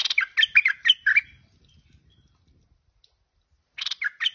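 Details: Tame, talkative stripe-throated bulbul gives a rapid run of bright, bubbly chirps for just over a second, falls quiet with faint low rustling, then starts another quick burst of sharp notes.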